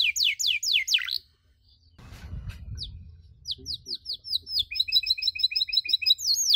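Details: Canary chirping as a lesson for other canaries: fast downward-slurred notes, a pause with low rustling noise, then resumed chirps and a rapid twittering series of short notes.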